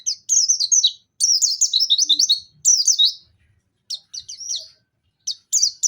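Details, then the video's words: Pacitan Dakun white-eye (pleci) bursting into nembak song with mantenan and zipper witwit elements. Three dense, high chattering phrases of twisting slurs are separated by silences, followed by shorter clipped bursts. "Pleci Dakun pacitan nembak mantenan&zipper witwit"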